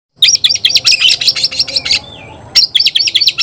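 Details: Oriental magpie-robin calling an opponent to fight: dense bursts of harsh, scratchy chattering notes, a pause with one thin slurred whistle near two seconds, then more rapid raspy chatter.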